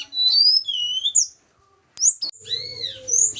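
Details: Caged hill blue flycatcher from Java, kept for pairing, sings a few sweet whistled phrases. Level and gently falling tones come before a short silence, followed by sharp high notes and arching whistles.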